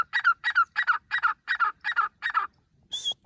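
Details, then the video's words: Grey francolin calling, a sound used for hunting; seven loud, harsh, evenly repeated notes about three per second, then a single higher, thinner note after a short pause. "Grey francolin bird sounds hunting"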